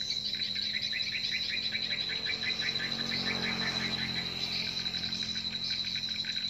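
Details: Lure call of edible-nest swiftlets, meant to attract them into a nest house: evenly spaced short twittering chirps in a fast series, about two a second, beside a steady high whine and faint low hum.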